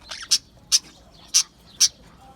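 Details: Australian budgie happily chirping: four short, sharp, high chirps spaced about half a second apart, with a faint scratchy note at the start and quiet between the calls.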